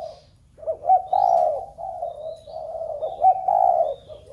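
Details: Cooing of a spotted dove meant to set off the other doves kept at home: a run of low, throaty coos with short upward flicks, joined almost without a break over about three seconds, with faint higher twitters.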